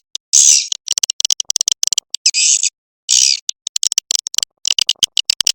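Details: Swiftlet lure call for dusk: rapid, buzzy, high chattering clicks in dense trains, broken by several longer harsh rasping bursts about a third of a second long, with short silent gaps between phrases.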